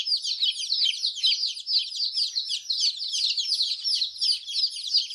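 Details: Several just-hatched chicks, brightly coloured, make noise together: shrill repeated peeps overlap into a continuous high-pitched chatter of even loudness from start to end.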